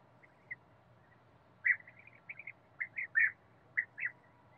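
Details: European bee-eater in a forest setting: short rolling, burry notes given singly and in small clusters, quiet at first and then louder, with gaps between.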